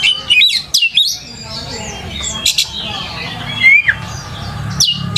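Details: Oriental magpie-robin in full song, used as a lure recording to help young magpie-robins learn sounds and start singing; loud whistled phrases, sharp rising and falling notes and harsh squawky bursts, with a steady low hum underneath.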